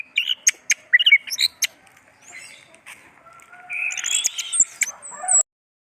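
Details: Orange-headed thrush, known locally as anis merah, singing a varied, mixed phrase of sharp chirps, clicks and short whistles, then a warbled run of rising and falling notes and a high thin whistle near the end.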